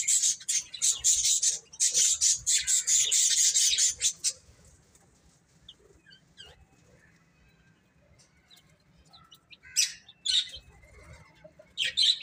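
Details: Chicks eating and playing: about four seconds of loud, crowded high peeping, then near quiet with scattered faint peeps, before brief chirp bursts return near the end.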